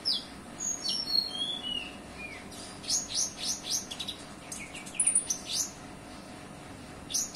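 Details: Varied, high song of an olive-backed sunbird filled with cililin phrases: thin descending whistles followed by quick rising upswept chirps, delivered in busy clusters with short gaps.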